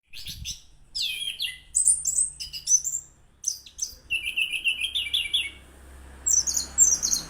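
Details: Orange-headed thrush singing actively and melodiously: a varied run of high, sweet whistled and chirpy phrases, some sliding downward, separated by short pauses, with a faint low hum underneath.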